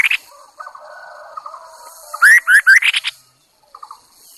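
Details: Lure Chinese hwamei giving a varied run of loud rising whistles that grow higher and richer, after a stretch of soft buzzy trills, ending with a brief quiet chatter.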